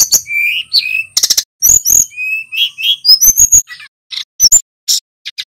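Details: Lively song of a male little pied flycatcher, a dense run of high chirps, rolling trills and sharp whistled upslurs, delivered almost without pause before breaking into short separate squeaks.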